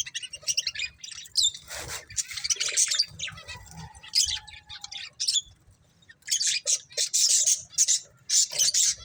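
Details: Budgerigars, a breeding pair, giving busy high-pitched warbling chatter in bursts, with one drawn-out grating note early on, a short pause, then rapid scratchy chirps resuming over faint background rustle.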